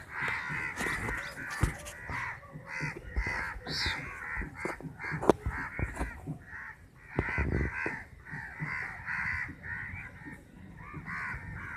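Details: Roughly fifty crows contesting a chapati, harsh caws tumbling over one another nonstop, with clicks and knocks scattered throughout.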